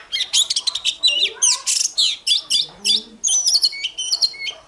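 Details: Fighting song of an oriental magpie-robin in the morning, meant to goad other birds: a dense, fast outpouring of whistled slurs and chattering notes, with a few lower warbled sounds mixed in.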